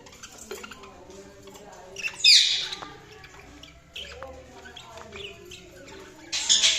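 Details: Budgerigars chirping: a low murmur of chattering notes broken by a loud, harsh, scratchy squawk early on and another burst of rasping calls at the very end.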